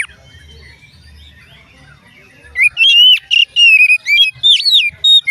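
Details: After a quiet stretch with low background hum, an Oriental magpie-robin bursts into loud, varied whistled song of rapid slurred notes and short trills, the kind said to trigger other magpie-robins to sing.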